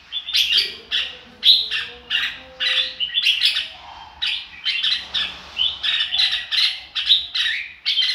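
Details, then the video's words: Red-whiskered bulbul, "ro kích bổi" style singing: rhythmic pulses of bright chirpy notes roughly twice a second, occasional downward-slurred whistles, and a faint low tone briefly audible underneath. "chào mào ro kích bổi"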